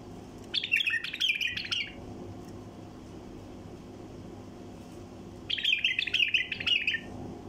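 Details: Wild bulbul singing 'tayariyat', a song style used to prompt quiet bulbuls to sing: two quick bubbling phrases of bright, jumbled whistled notes, each about one and a half seconds, separated by a pause of several seconds with low background hum.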